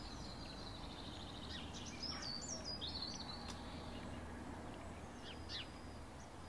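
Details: A flock of shiny cowbirds (Molothrus bonariensis) gives high, thin whistles and squeaky chips in short bursts, over a steady low rumble of wind or distant traffic.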